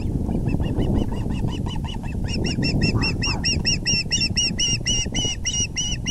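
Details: Ospreys at the nest, April 6, 2020, as the male brings in a big fish: softer chirps quickly swelling into loud, evenly spaced, piercing whistles repeated several times a second, with low rumbling throughout.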